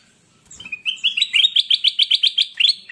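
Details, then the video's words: Caged golden bulbul singing actively, used as a master recording to train newly bought market birds that are reluctant to sing: a fast run of about a dozen bright, rising whistled notes, each climbing and sharply repeated, with a quiet room behind. "Burung kutilang Emas Gacor buat masteran burung bahan Ombyokan yang Malas Bunyi"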